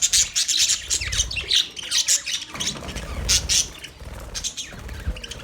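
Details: Australian budgerigars chirping, a dense wash of high, scratchy chirps and squawks that swell and fade in short bursts, with a few brighter whistled notes scattered through.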